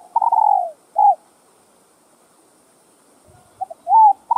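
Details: Spotted dove cooing to stimulate other doves, one of several cooing styles: low mellow coos, a long falling phrase and a short note, then a pause before further clipped and drawn-out coos.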